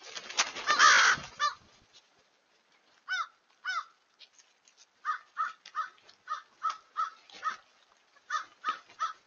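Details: A large gathering of crows on 31 January 2023, heard as harsh caws, first a pair, then a long irregular series of short caws from several birds, with a loud rustling noise at the start.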